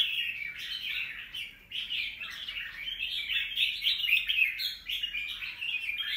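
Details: A wild-caught young red-whiskered bulbul, recorded 25 December 2023, sings nonstop rapid warbled chatter, briefly pausing early on before resuming.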